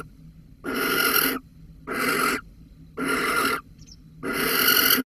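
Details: Barn owl, Holten, 13 May 2020, mouse involved: four coarse hissing screeches of about half a second each, spaced around a second apart, with a faint soft chirp in one gap.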